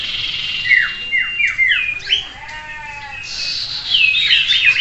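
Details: Common Iora (sirtu) in a mock contest session for training competition birds; a run of three or four downward-sweeping whistles, a low rising note, then crowded high chattering from several birds.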